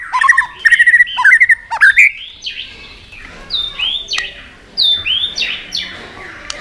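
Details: White-rumped shama provoked into intense fighting song, flicking its tail on the cage perch during training: rapid buzzy trilled notes near the start, then a run of loud, separate downslurred and arching whistles.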